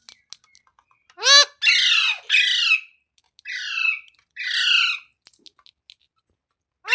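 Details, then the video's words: Green parrot heard in its natural sounds; a run of loud, harsh, rasping squawks with stacked overtones, a few short broken calls, and quiet clicks between them in a small, still room. "Green Parrot Talking Natural Sounds | Tote Ki Awaaz | Mitthu Ki Awaaz"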